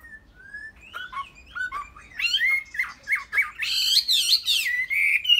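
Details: Kept Chinese hwamei starting with soft separate whistles that build into loud, continuous warbling with rising and falling fluty notes.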